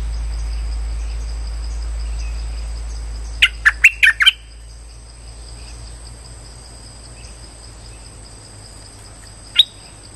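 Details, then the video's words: Streak-eared bulbul lure call for trapping. After a stretch of hum comes a tight burst of four or five sharp chirps, then a long gap and a single isolated chirp near the end. "Suara pikat merbah lekir"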